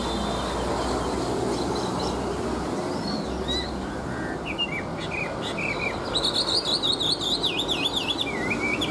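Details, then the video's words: Chinese hwamei singing tirelessly, said to sing like a machine without pausing. Scattered short chirps and whistles come first, then after six seconds a loud, rapidly wavering warbled phrase with falling endings, over constant heavy low hiss and rumbling background noise. "Họa mi hót như máy - Hót ko bỏ mỏ"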